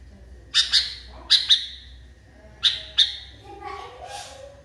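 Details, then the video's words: Sooty-headed bulbul, caged and agitated, giving paired sharp chirps, followed by softer lower chattering sounds. "KUTILANG NGAMUK PARAH"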